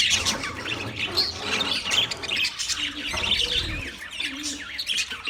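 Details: Wild budgerigar flock chirping, a thick tangle of high squeaks and warbled notes, with soft low hums and cooing tones beneath.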